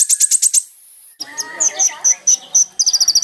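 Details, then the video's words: Sunbird song played as a lure to draw a response: fast bursts of high, sharp chirps, a short pause, then thin whistled notes repeated about every half second and a closing rapid trill. "SUARA BURUNG KOLIBRI NINJA GACOR LANGSUNG RESPON BUAT PANCINGAN KONIN ANDA"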